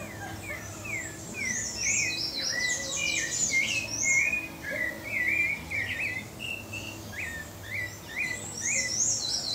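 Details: Pale-breasted thrush from Brazil in full song: repeated short whistled slurs, some rising sharply, mixed with higher twittering notes in dense bursts, a varied and lively phrase with little pause.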